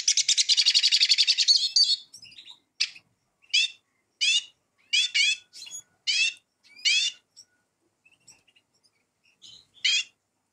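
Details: Eurasian siskin singing: a dense buzzy high trill for two seconds, then separate sharp twittered notes with rising squeaky inflections, spaced roughly every half second, with brief quiet gaps between.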